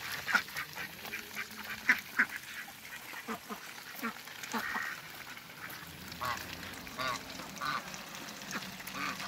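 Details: Muscovy duck couple in a backyard giving brief, clipped calls. A few sharper notes stand out near the start and more follow loosely later, with steady low background hiss.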